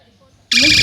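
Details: A female Eclectus parrot at an aquarium in Mysore says "hello" as mimicked speech: a loud, harsh, nasal squawked word, flat and buzzy with a slight rising inflection, starting abruptly after a short quiet lead-in.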